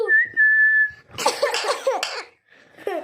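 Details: Green parrot, a pet bird, producing a level sustained whistle, then a burst of scratchy, chattering talk-like sounds with broken harsh syllables, a pause, and a final rasping note.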